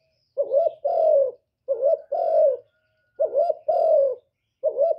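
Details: Spotted dove serving as a decoy to call in wild doves, Cà Mau, repeating mellow coo phrases. Each pairs a short warbled note with a longer falling coo, and about four phrases come at a brisk, uneven pace.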